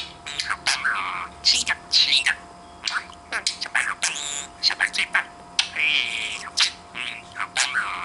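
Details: A hand-raised pet budgerigar, talking while interacting with its owner, chatters in rapid, high, scratchy bursts of clearly mimicked speech, short buzzy syllables tumbling over one another almost without pause.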